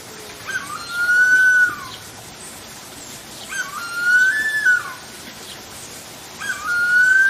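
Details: Harpy eagle in a forest: three long, clear whistled wails, each rising slightly then sliding down at the end, about a second long and spaced roughly three seconds apart, over a quiet background.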